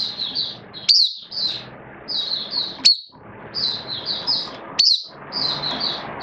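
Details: Oriental white-eye singing in buka style for the bird hobby, 11 September 2022: gentle high warbling phrases punctuated roughly every two seconds by a piercing, steeply rising note, with faint steady background noise.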